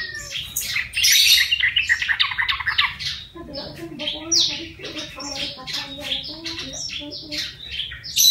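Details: Wild-caught yellow-vented bulbul, trapped and now tame after one month in captivity, vocalizing: dense bursts of bright chattering and squeaky notes, fast and irregular, with lower bubbly phrases in the second half.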